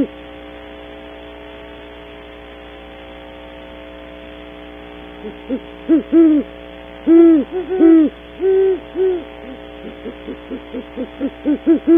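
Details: Two great horned owls at a nest cavity at dawn, Audubon Starr Ranch, California: about five seconds of quiet hum, then low, muffled hoots build into a loud cluster of long hoots, followed by a quickening series of short notes.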